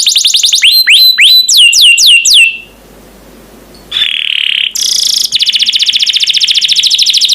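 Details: Champion canary tutor song for teaching birds to sing: quick trills and downward-swooping whistled notes, a short pause, then a harsh buzzy roll and a long, very rapid rattling trill.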